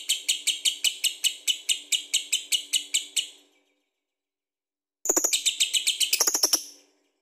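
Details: Lovebird in vigorous ngekek song, used to draw other birds into singing. Regular high, grating notes repeat about three times a second, then after a pause a denser, harsher burst with squeaky accents follows.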